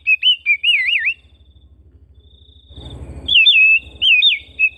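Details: Oriental magpie-robin kept at home, singing: quick wavering whistled notes in two clusters separated by a gap filled with a thin high tone and a short burst of low rustling noise.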